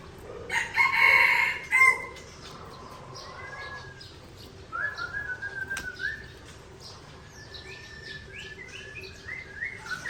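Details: White-rumped shama of the Aceh Tangse type singing against a rival: a loud harsh buzzy burst, then flowing whistled phrases and a run of short notes.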